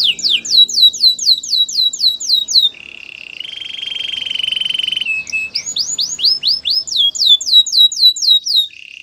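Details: Singing white canary: rapid repeated down-slurred whistles, a held buzzy tone in the middle, then more quick sweeping phrases and a brief low buzz at the end.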